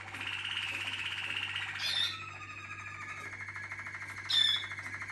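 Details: Waterslager canary holding a long, even, rolling trill, then a bright high note and a lower sustained tour, with a faint low hum throughout.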